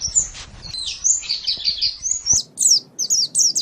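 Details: Master recording of a white-eye for training songbirds: a trilling high warble, then a sharp click, followed by three crisp, separated bursts of thin twittering notes.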